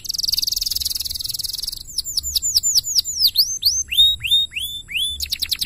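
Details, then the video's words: Canary master song: opens with a rapid buzzy rattle, then descending whistled sweeps and evenly spaced upward-curving whistles, closing with a quick high trill. "MASTERAN KENARI GACOR"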